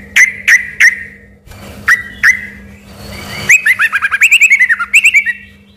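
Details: Lively singing yellow-vented bulbul, its voice first mistaken by locals for a white-rumped shama. Three sharp whistled notes, a pause, two more, then a rapid rhythmic series of bright rising whistles over a faint steady hum.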